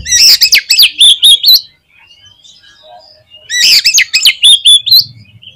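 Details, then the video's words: Oriental magpie-robin song in two loud bursts of fast rising whistles and chatter, each about one and a half seconds long, separated by faint twittering. "SUARA KACER GACOR"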